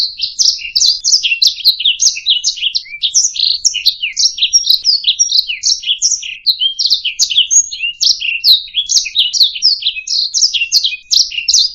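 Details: Master song of a canary for tutoring other singing birds: steady torrent of high, sweeping chirps and rattling trills, evenly paced, no pauses, no other noise.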